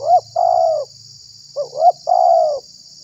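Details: Spotted dove used as a decoy sound to attract and provoke other doves: two paired phrases, a sharp rising note followed by a long, gently falling coo, against continuous high hiss and low hum.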